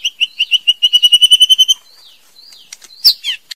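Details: Female white-rumped shama song opening with a rapid, even run of about thirteen identical bright notes, then a pause and a few sharp, high, squeaky flourishes.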